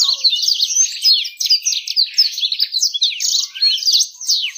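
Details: Birdsong used to bait other birds into singing and to attract females: dense, unbroken high-pitched warbling, quick chirps and buzzy trills running for several seconds.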